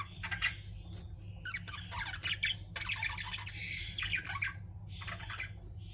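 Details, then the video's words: Pet budgies chattering continuously in short scratchy squawks and warbled chirps, several bursts overlapping across six seconds, with a constant low background hum beneath. "CUTE PET BUDGIES CHIRPING"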